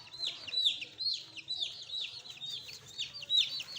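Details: Clear, loud peeping from fresh chicks: piercing downslurred chirps follow one another quickly and overlap, with a quiet background.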